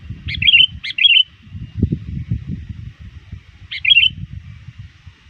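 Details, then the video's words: Sooty-headed bulbul, kept in frequent training and still very active before dusk, calls to rivals with three chirpy, bubbly phrases: two close together, one a few seconds later, over low rumbling noise. "suara burung kutilang gacor memanggil lawan"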